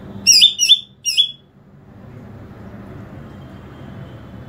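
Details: Greater green leafbird call used to attract other green leafbirds: three sharp, bright, slightly buzzy high notes given in quick succession over about one second, followed by steady low rumbling background noise.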